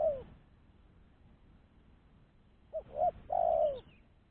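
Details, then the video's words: Spotted dove used as a decoy to attract other doves, giving a low cooing phrase: two quick short coos followed by a drawn-out, slightly falling coo, after the tail of an earlier note; faint high chirp from another bird. "Suara Burung Tekukur-Pancingan Suara Tekukur Bersih"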